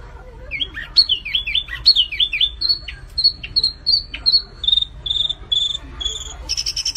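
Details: Flamboyan bird singing vigorously: a run of clear whistled notes, first falling slurs and then level whistles repeated about twice a second, ending in a buzzy burst. Faint low hum underneath.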